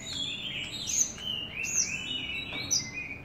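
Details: Javan bush lark in continuous song: thin high whistled notes that slide up and down, mixed with brief buzzy chirps, a stronger accent about one second in.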